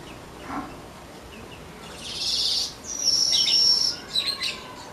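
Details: Soft early singing of an untrained weaver: a faint low note, then a wheezy hissing buzz, a long thin level high whistle, and a few quick buzzy chattering notes to finish.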